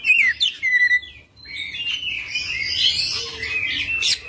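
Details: Kacer, the Oriental magpie-robin, in full isian ngerol gacor song: a few loud clear whistles open the phrase, followed by a fainter, blurred stretch of high twittering over a low background hum.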